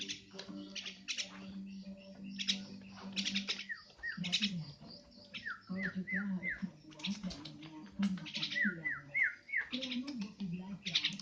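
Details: Javan myna calling: harsh buzzy squawks mixed with clear downslurred whistled notes, often in quick runs of three or four, over a steady low hum and background music.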